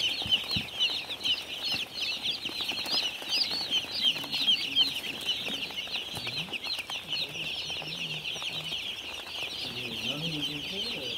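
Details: Baby chicks together on a farm give a continuous flock of shrill peeping, quick slurred chirps crowding over each other, while faint low tones drift in toward the end.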